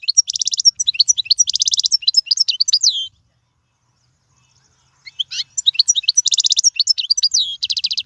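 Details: European goldfinch song for training young birds: bright twittering mixed with dense buzzy trills, broken by two seconds of silence before a similar burst of chatter and buzzes returns.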